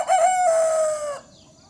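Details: Broiler rooster, one of two broiler chickens kept for a while as breeding males in a hamlet, crowing: a loud, harsh, drawn-out single crow, steady then gently falling, lasting about a second before cutting off into quiet.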